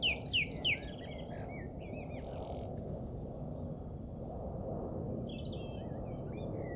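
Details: On an English golf course on Easter Saturday 2007, three quick downslurred whistles start the phrase, followed by a brief high buzzy burst and distant faint twittering, all above a continuous low-pitched background hum.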